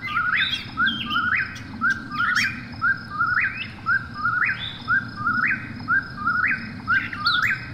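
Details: Eastern whip-poor-will calling at night: a whistled three-part phrase rising at the end, repeated about once a second without pause, over a steady high insect drone, a low rumble and a few sharp higher chirps.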